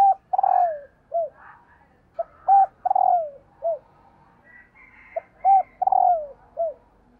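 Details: Female spotted dove luring males with repeated calls: three phrases in about seven seconds, each a quick note, a round coo, a long descending coo and a short closing coo, with faint higher calls behind.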